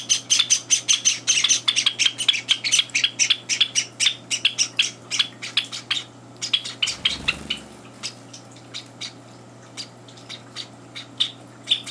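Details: Java sparrow chicks, three days in a home, beg at feeding time as older birds push in; a fast flurry of sharp, high chirps and squawks, broken by a brief thump, then tapering to sparse single calls.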